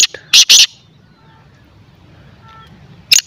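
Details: Francolin, called white or black teetar, giving loud harsh call notes: a short burst, then two strong grating notes close together, a pause of over two seconds, then one more harsh note; faint background hum.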